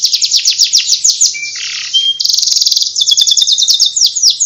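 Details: Canary in ngriwik warbling song style: loud, fast, high-pitched twittering of rapid repeated chirps and short trills, continuous throughout with a brief lower rasping note midway.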